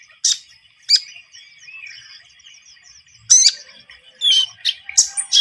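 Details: High, thin Javan munia song for luring birds into traps: isolated sharp chirps separated by faint, continuous high twittering, with a cluster of louder notes near the end.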